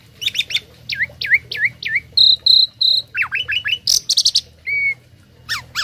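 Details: Tame starling giving tutor song for other birds: quick slurred whistles, three long level whistled notes, then fast downward sweeps, a harsh burst and a clear short whistle, mixing many note types.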